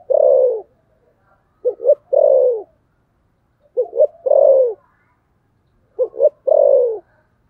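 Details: Spotted dove giving fighting coos, a loud phrase of two short coos and a long descending coo, repeated three times about every two seconds in silence.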